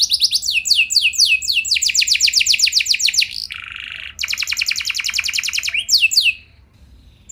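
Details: Canary singing to trigger other canaries to reply, a long rolling song: quick falling notes, dense trills, a buzzy harsh passage, another rapid trill, then quiet.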